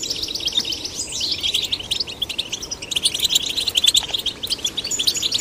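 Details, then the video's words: Male and female goldfinch chicks stimulated to sing, pouring out quick twittering notes, a slurred falling whistle early on, and steady jangling trills throughout. "Stimulating male and female goldfinch chicks to sing birds chirping"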